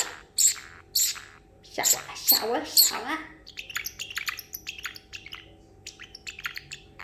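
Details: Pet parrotlet, male, excited after almonds and treats, mimicking water sounds; loud piercing chirps and raspy lower notes, then softer, rapid high ticking twitters, with faint talking.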